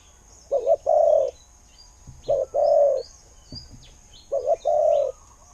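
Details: Spotted dove decoy singing in the 'khu-ang' style, valued for luring. Three deep cooing phrases, each a brief double note then a long coo, with faint high chirps of other small birds and soft knocks behind.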